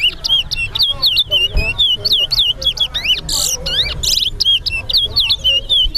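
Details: Singing-competition bird, a towa towa in Guyana, delivers rapid curling whistles in a continuous stream, interrupted twice by loud buzzy bursts, while people talk quietly in the background at the Sheriff Street bird ground.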